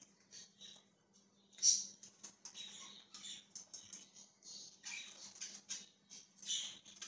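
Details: Budgerigar, dated 20 January 2023, giving quiet, rapid rasping chirps and clicks in an uneven stream, one sharper squeak early on, over a steady low hum.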